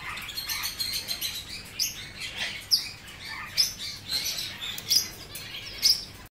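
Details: Hand-reared, tame young male Blue-winged macaw born in 2017, giving short, sharp, high chirps about once a second over steady rustling and pattering sounds.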